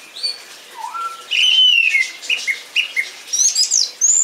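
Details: Song thrush song of loud whistled phrases, a short note quickly repeated several times in a row, followed by high bright twittering notes.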